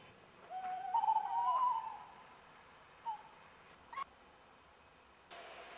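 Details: Tawny owl heard at dawn around 5 a.m. along the château drive at Lorge, Côtes d'Armor, France, 2011; one long quavering hoot that rises slightly, then brief faint notes and a soft rustle.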